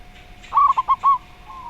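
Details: Zebra dove singing in the slow voice style: a quick run of four clipped, fluting notes, the last one drawn out a little longer, then a faint trailing note over a steady low background hum.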